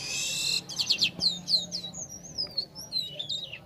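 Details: Black-winged starling singing to lure songbirds: a burst of high buzzy notes, then a string of sharp descending whistles flowing into a long, wavering, rising-and-falling whistled phrase.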